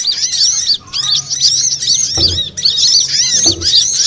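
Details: Lure sound of sunbirds (burung madu, including konin, kowul, korlap and sogon) meant to draw birds in: continuous shrill, tumbling twitters of curved high notes, briefly dropping out near the start, with a couple of dull thumps.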